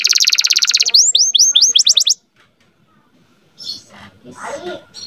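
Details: Young canary song used to stir female canaries toward breeding: a rapid trill and several quick falling whistles over two seconds, then near silence with faint scattered sounds.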